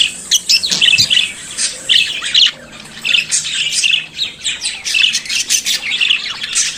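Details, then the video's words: Pet budgerigar singing and chattering, with a long busy sequence of quick scratchy chirps, ticks and buzzy warbles, growing more rapid and packed toward the end. "Periquito Cantando e Conversando Sonidos de Periquito Australiano"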